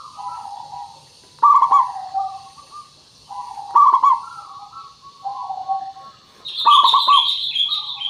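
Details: Local zebra dove used as a lure to make birds respond: bubbling stuttered coo bursts every two to three seconds with mellow coos between, and a higher chirping bird joins loudly in the last seconds.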